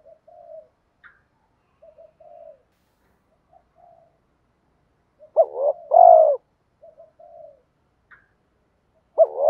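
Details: Spotted dove heard in a wild-dove luring recording, 2024. The clip is mostly soft, scattered murmured coos. One full deep phrase of a broken double note and a long hoarse coo is heard, and another phrase begins at the end.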